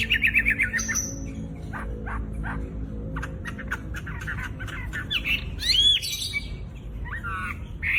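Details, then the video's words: Vigorous wambi song used as a tutor for fighting songbirds, a loud bird that copies other species: a varied mix of harsh squawks, short clicking chips and sharp whistled slurs in quick succession, with a steady low hum beneath. "Burung wambi gacor full isian materi top buat masteran burung petarung"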